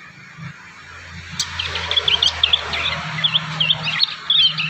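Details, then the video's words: Young prinias in the wild practising and learning their song: a run of short, high chirps and twittering notes starting after about two seconds, over steady broadband background noise and a low hum. "MASTERAN PRENJAK PAUD ALAMI"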